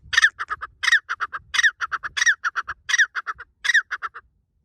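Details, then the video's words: Partridge in a forest, described as happy, making a loud noise: a harsh, emphatic note followed by three or four shorter clipped notes, the phrase repeated about six times in quick rhythm with quiet gaps. "The partridge is very happy in the forest and makes a loud noise"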